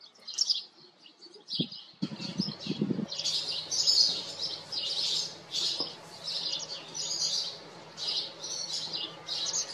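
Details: House sparrows at a farm: scattered chirps build into continuous overlapping chatter, with a short burst of low rumbling noise near the start.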